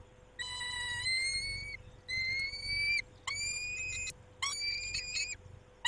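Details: At the nest at 19:40, a male peregrine falcon caring for the females utters five drawn-out rasping, slightly rising wails, each close to a second long, separated by short pauses.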